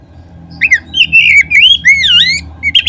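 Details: Oriental magpie-robin (kacer) song used as a lure to make other magpie-robins sing: a run of loud whistled phrases, sliding, looping, up and down, with sharp high notes between, over a faint low hum.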